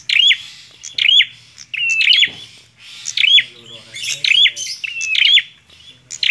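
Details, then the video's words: Bar-winged prinia song of rapid chirp bursts with level whistles and bent upslurs, phrases tumbling almost continuously, with a brief low clatter and faint murmuring in the background. "PRENJAK KLAWU GACORR"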